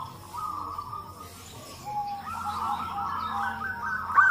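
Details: Local zebra doves calling back and forth as a lure to set other doves calling; a smooth, level purring trill swells, pauses, then returns longer and louder, with fainter doves behind.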